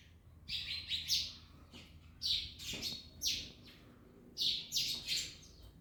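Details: Parrots eating an orange, uttering loud, harsh, high-pitched squawks in pairs and triplets, grouped into about four bouts with brief clicks between them.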